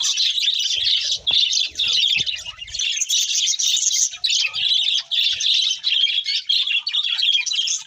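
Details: Several pet budgerigars singing while eating: dense, continuous chattering warble of fast buzzy chirps and squeaks, with brief pauses around one and four seconds and soft low clicks early on.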